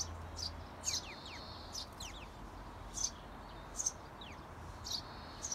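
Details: Eurasian tree sparrows near a nest box where 17-day-old nestlings are being urged to fledge: soft, high chirps with short downward-sliding notes, spaced about a second apart, faint low hum early on.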